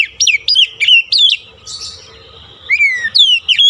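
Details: Stimulating lure song of an Oriental magpie-robin for a stressed bird that went quiet: four quick whistled notes that drop in pitch, a brief softer warble, then long descending whistles.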